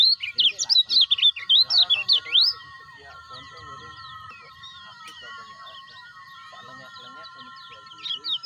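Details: Lemon-bellied white-eye, caged, used to stimulate other kept birds: a quick volley of high twisting chirps for about two and a half seconds, then quiet with a thin steady tone and faint distant notes, the chirping returning at the end.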